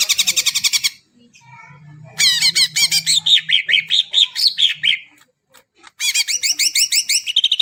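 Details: Greater green leafbird song, offered as a recording to spur birds that have not yet started singing: bursts of rapid, repeated high chattering notes with a silent gap mid-clip, over a steady low hum.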